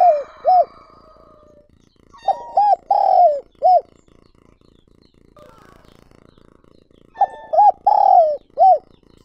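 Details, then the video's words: Decoy spotted dove cooing to lure wild doves, giving two similar phrases about five seconds apart, each of short coos, a long descending note and an arched coo, over a steady low hiss. "Chim Cu Gáy Mồi Gáy Gọi Thúc Kích Bổi Mới"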